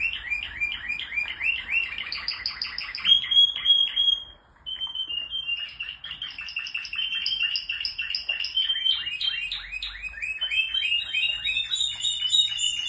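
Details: Several male Spanish Timbrado canaries singing: fast runs of repeated down-slurred chirps, then a sustained metallic trill, a brief pause, and renewed rapid rolling phrases with bell-like notes.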